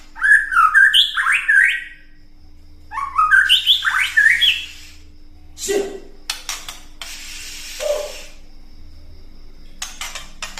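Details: White-rumped shama ketrekan meant to provoke rival birds into singing: two bursts of quick, warbled whistles with swooping notes, followed by dull knocks and clattering sounds.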